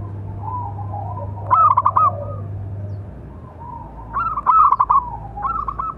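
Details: Zebra dove of local stock, singing a calling song meant to train and lure other doves: two bursts of rapid rolling coo notes about three seconds apart, with soft coos between and a low background hum.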